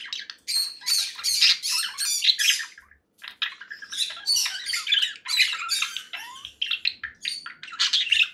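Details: Harsh, almost continuous screeching squawks from a conure parakeet, repeated rapidly in long noisy runs with only one brief break.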